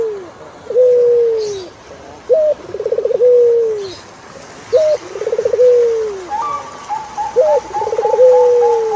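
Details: Repeated turtle dove coo phrases, each a crisp high note, a rapid throbbing trill and a long falling tone. Faint clicks sound early, and a second bird's thin wavering whistle comes in toward the end.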